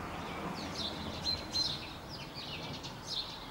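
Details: Common starling (Sturnus vulgaris) singing: buzzy, warbled high phrases interrupted by a thin, pure, level whistle near the middle, then more chattering notes. Steady background hiss throughout.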